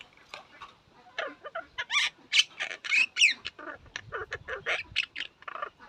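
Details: Common myna (shalik) chattering: a dense, fast string of harsh, high, clicky and squeaky notes with a few brief whistled slurs, continuous and irregular throughout.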